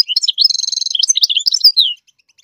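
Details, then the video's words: Singing to instruct its young, a goldfinch gives quick high twitters and a dense, buzzy trill, then descending chirps before falling silent. "the goldfinch sings to teach the chicks to song chirp"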